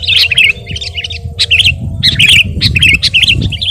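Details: Actively singing sooty-headed bulbul recorded as a training track for caged birds: lively bubbling whistled phrases repeated several times with brief gaps, fairly loud, with a steady low hum underneath.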